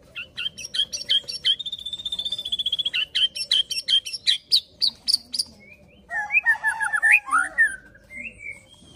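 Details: Provoking fighter song from a white-rumped shama: a long, quickening trill of high clipped notes that speeds up, then slows into separate chips, then a tangle of varied warbled and slurred whistles.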